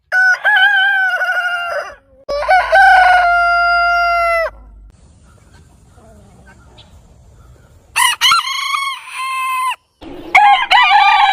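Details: Backyard roosters crowing in turn: a long crow, then a second one with a stuttered start and a held, level tone, a quiet stretch of faint background sound, then two more loud crows with wavering, rising starts.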